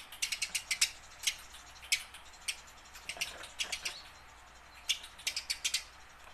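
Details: Tame house sparrow, kept to coax wild-caught sparrows into singing, gives bright, sharp chirps in quick bursts of four to six, separated by short pauses, over a quiet background.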